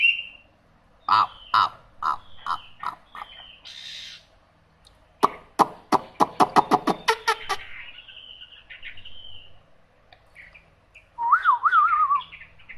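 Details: Hwamei: a series of sharp, clipped notes and clicks, a brief harsh burst, a quickening run of staccato ticks, then a soft whistle and a wavering warbled phrase at the end.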